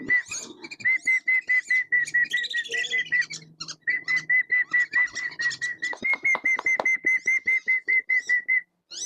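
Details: Several tame wandering whistling ducks, released and roaming free near rice fields and marshes, give a long fast series of clear, even whistles, a brief pause breaking the run, with soft clicking and rustling underneath.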